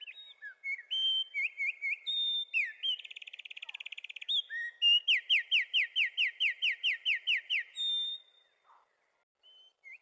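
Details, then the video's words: A wren pours out a loud, high, rapid song lasting about eight seconds: sweet whistled notes, a fast buzzy trill, then a ringing run of repeated slurred notes. "Wrens bird Singing"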